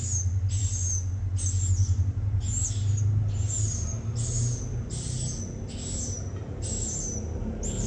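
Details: Swiftlets giving high, sharp chirps with a downward slur, repeated roughly every second in a steady series over a low electrical hum.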